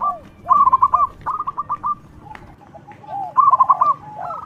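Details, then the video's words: Loud-voiced local zebra dove in full song, played as a lure for other doves: rapid rattling runs of clipped high notes, a brief pause, then another quick burst, with lower soft arched coos underneath. "Perkutut lokal gacor suara lantang super ampuh untuk pancingan"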